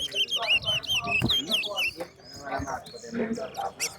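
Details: Competing towa-towa seed finch at New Amsterdam bird ground race, pouring out fast wavering whistles and trills for about two seconds before murmuring spectators and thuds take over.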